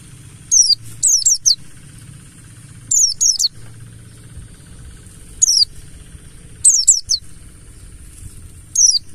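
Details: Mountain white-eye, Buxtoni form of the 'ngalas' wild type, used as a lure for singing: high, downward-sweeping chips in brisk groups of four, two, four, then one, spaced a couple of seconds apart over low background rumble.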